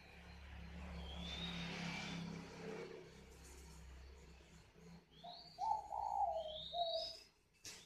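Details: Steady background hiss and hum for several seconds, then a spotted dove's calling coo: low mellow short-long-short notes, with rising high whistles from other birds overhead.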